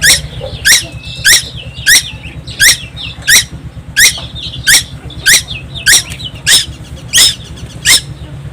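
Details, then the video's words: Young tuwu from Timor Island, Indonesia, calling without pause: about thirteen loud, grating squeaks repeated roughly every 0.65 seconds, with faint twittering between them and a constant low hum. "burung tuwu Pulau Timor gak pernah diam"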